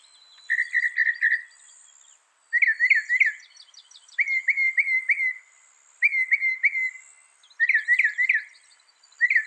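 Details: Northern mockingbird song of clear whistled notes, grouped in quick bursts of three or four, each burst repeated after a short pause, varying between flat and sharply peaked notes.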